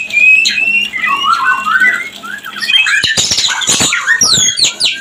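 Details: White-rumped shama mating call meant to bring birds into breeding: rambling warbled phrases in the first half, then a dense burst of harsh notes and quick upward and downward sweeps.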